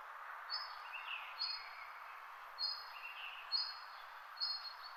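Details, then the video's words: Thin, high, level chirps recur roughly once a second, five in all. Softer wavering notes sit between them, over a continuous background wash of distant bird chatter. "Birds chirping sound"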